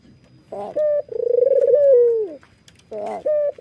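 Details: Red-eyed white Barbary dove laughing while nodding: a harsh onset and short clear note, then a quick rattling roll of pulses merging into a smooth tone that glides down; a second short note starts afterwards.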